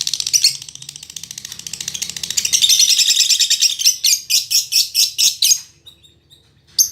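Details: Female lovebird of fighter temperament in lively song: fast, rattling chatter building in loudness, breaking into about ten separate harsh chirps, then near silence before one last screech.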